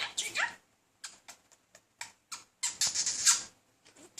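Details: Caged male budgerigar courting a female indoors; a burst of scratchy squawking chatter, spaced clicks, then a longer harsh warble.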